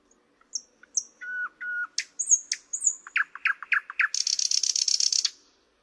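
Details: Thrush nightingale song phrase: thin high whistles and flat piping notes, a run of hard clicking notes, then a dry rapid rattle to finish.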